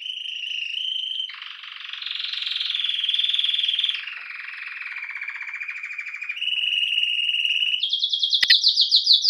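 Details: Belgian canary, known as canário-do-reino, delivering deep rolling trills: a steady buzzy roll, then a broad churring rattle that drops lower, finishing with a quick rising high trill and a sharp click.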